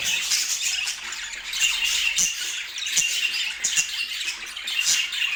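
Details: Domestic budgerigars chattering together, offered as a calming sound for sleep; a dense, continuous wash of high twittering, warbling and scratchy squawks from several birds at once, with brief sharper clicks.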